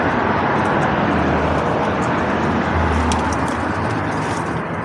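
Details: Steady broadband roar of road traffic fills the whole stretch, with no clear animal calls standing out.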